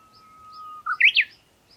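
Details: Japanese bush warbler: a long, level, pure whistle lasting nearly a second, then a quick, rising, three-part emphatic phrase, loud and clear against a quiet background.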